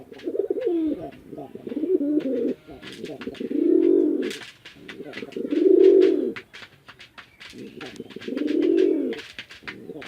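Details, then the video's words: Male and female pigeons, described as fighting, give deep, swelling coos about every two and a half seconds, each rising and falling, with sharp clicks and wing-like rustles between; Bangladesh, Chittagong district. Finding: pigeon. "Male & Female Pigeon Combo Attacks Sound"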